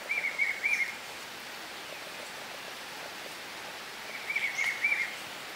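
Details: Black-tailed tityra in Itatiaia, Rio de Janeiro, Brazil, giving two short bursts of three nasal, buzzy notes, several seconds apart, over a steady background hiss.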